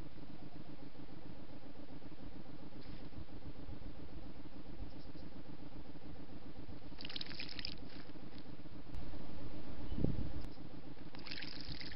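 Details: A steady low rumble like running water or engine noise fills the recording, with brief hissy bursts and no animal calls.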